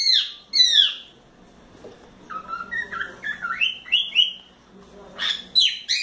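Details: A four-month-old pet cockatiel playing on its swing and playground opens with two loud downward-sliding calls, then a quick series of short whistled notes, ending with more sharp calls.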